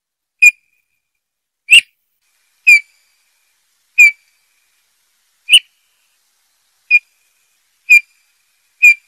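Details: Eurasian bullfinch song: short, clear, soft piping whistles on a steady pitch, each note brief with faint overtones. Eight separate notes spaced irregularly about one to one and a half seconds apart, with silence between and no other sounds.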